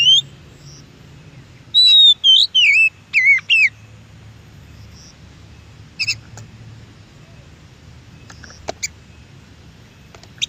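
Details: Oriental magpie-robin in the wild singing a clear whistle, then a quick string of five swooping, wavering notes, followed by faint scattered ticks and long quiet stretches with low rumble.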